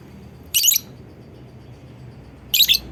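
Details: Pair of scratchy, high-pitched lovebird chirps two seconds apart, a call used to provoke other lovebirds into joining the song, with a soft low hum underneath.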